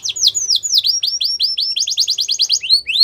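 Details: Yellow canary in the wild singing steady series of high, drooping whistled syllables, switching partway to a faster run of shorter notes, ending with two upswept notes.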